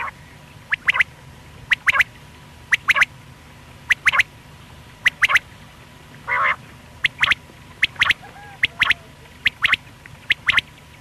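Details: A single male quail, the call used in morning and night hunting, gives sharp, liquid clipped notes in quick groups of two or three, repeated about every second, over a faint steady hum.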